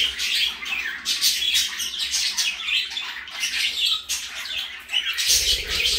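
A parakeet chatters in a steady stream of high, scratchy chirps and squeaky warbles, with no pauses, over faint room noise.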